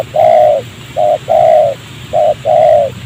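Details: Low, rough coos from a spotted dove in a rubber plantation beside a settlement, heard while trapping with a decoy bird; a long note, then short-long pairs repeated at about one per second.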